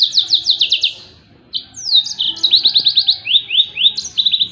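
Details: Yellow-fronted canary song used as training material for other songbirds: fast bright phrases of rapid repeated downslurred notes, trills alternating with sweeping whistles, high-pitched and continuous.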